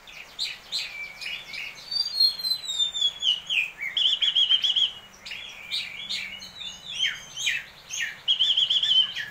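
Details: Prize-winning caged Oriental magpie-robin in continuous song, described as crystal-voiced with rich, sharp fill-in phrases. Busy mix of quick chips and a descending whistled slide, then two bright quavering trilled whistles near the end.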